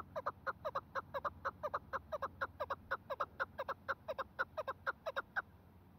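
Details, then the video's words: Chukar partridge calling during snowfall, a steady clucking chatter of paired notes repeated about twice a second, very regular, for the whole stretch. "chakor aor baraf bari me"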